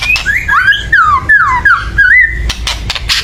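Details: Agitated white-rumped shama used to stir birds into song: a run of slurred whistles, some falling and some rising, followed by a few sharp dry clicks.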